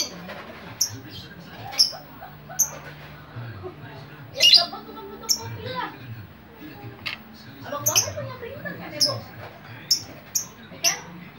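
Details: Caged lovebird chattering in a noisy, busy stream: sharp high chips and squeaky twittering notes repeated irregularly, with faint background voices and low hum.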